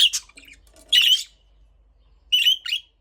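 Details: Budgerigar giving a few loud, harsh chirps in quick succession, a grating squeak near one second and a paired chirp near the end, between brief silences.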